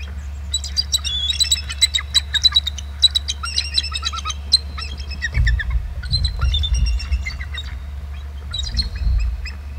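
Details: A pair of eagles on a live nest camera giving trills, sounding very close as both fly off over the camera; high chittering, squeaky notes in uneven bursts over steady low rumble.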